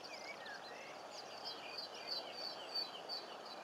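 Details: Captive Superb Starlings (Lamprotornis superbus) at Paradise Park, Cornwall, in 2014 chatter in a jumble of thin, squeaky whistles and slurred chirps, with a high sharp note repeated about three times a second over a steady background hiss.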